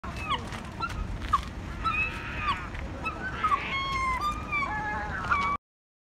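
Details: Herring gull (Larus argentatus) in front of a hospital on George's Street Lower, Dún Laoghaire, Dublin, Ireland, gives a run of loud, harsh, mewing calls with sliding pitch, some rising and falling, over a steady low rumble of wind or surf.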